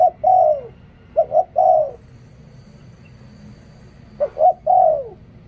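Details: Decoy spotted dove cooing three phrases of short paired notes and a long sliding coo, with a two-second silent gap before the last phrase.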